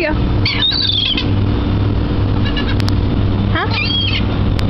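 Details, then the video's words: At a dock by the water, among a large crowd of seagulls being fed, two harsh squawking cries with long mewing tails ring out, separated by a quieter pause, over a low steady hum. "Seagulls at the Dock (Beware the Annoying Sounds!)"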